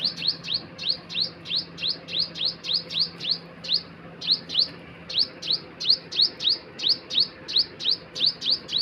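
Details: A bird repeats short sharp downslurred chips about three times a second in an irregular series, over a steady low hum.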